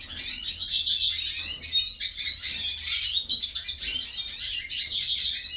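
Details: Hooded siskins in a breeding aviary, starting to sing: a rapid, continuous twittering song of high chirps and trills, tumbling notes delivered several per second with brief pauses, over a faint low hum.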